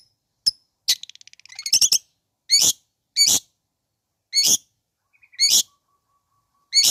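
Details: Long-tailed shrike provoking sound for listless shrikes: a brief accelerating rattle, then loud harsh downslurred rasps repeated at uneven intervals of about a second.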